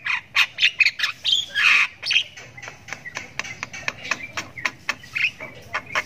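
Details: Javan myna chick in long ngriwik calling while it learns to vocalize: a fast string of rasping squawks, several each second, loud at first and then softer, choppier notes.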